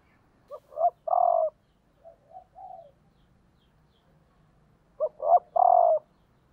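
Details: Decoy female spotted dove cooing to arouse males. It gives two full three-note coo phrases about four seconds apart, each ending in a long hollow note, with a fainter, softer coo sequence between them.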